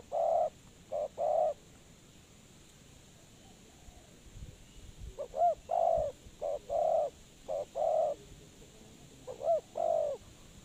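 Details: Spotted dove used as a trapping decoy. Several short-then-long coo pairs alternate with three-note phrases that open with quick looping notes. Low, hoarse tone throughout.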